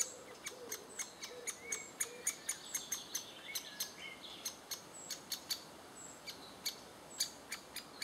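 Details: Great spotted woodpeckers in June 2011, adults feeding chicks: a fast run of sharp, high ticking notes, irregularly spaced, with some short chirps and faint low murmurs mixed in.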